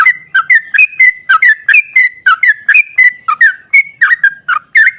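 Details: Long ropel song of a sooty-headed bulbul, played to stir other bulbuls to sing: clear whistled notes about five a second, alternating higher flat tones with lower dipping ones in a bouncy, rolling chain.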